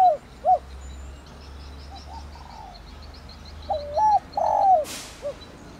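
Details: Spotted dove in a thổ đồng luring call: quiet short coos at first, then one clear phrase of a wavering note, a drawn-out falling hoot and a brief closing coo, with a short rushing noise.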